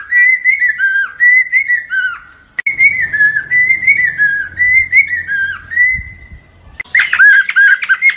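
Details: Lesser necklaced laughingthrush song played to lure birds into traps: rhythmic runs of ringing whistled notes that dip and rise, a brief pause, then a harsher, jumbled burst near the end.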